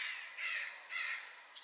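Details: Western jackdaws that flew in near a rook nest on a housing estate in spring 2025, sounding as if something was happening: two harsh, raspy calls about half a second apart, over faint hiss.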